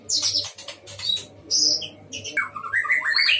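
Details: White-rumped shama, caged in a breeding enclosure, singing energetically: bright high whistles and chips give way to a descending string of mellow warbled notes, over a steady low background hum.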